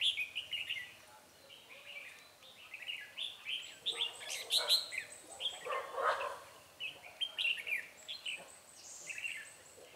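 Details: Red-whiskered bulbuls in a trapping session with a decoy bird luring a lively wild one, 9 March 2020; busy overlapping bursts of short warbled, chirpy notes, several phrases tumbling over one another throughout, some louder slurred notes near the middle.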